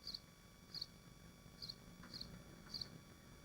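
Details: Swifts at their nest in Machynlleth, Wales, in the Dyfi Biosphere, recorded by a nest livestream: five short, shrill, buzzy high screams spaced about every second over a steady low hum.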